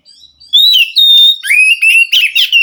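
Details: Wild white-rumped shama from the forest singing loud, clear whistled phrases, a long rising note followed by lower slurred whistles and rapid twittering flourishes.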